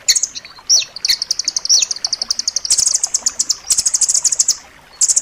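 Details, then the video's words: Blue nuthatch giving a dense, sharp song for pet bird tutoring: a few slurred high notes open into a long, steady rapid trill of high chips that speeds and brightens toward the end. "suara masteran rambatan loreng rapat tajam"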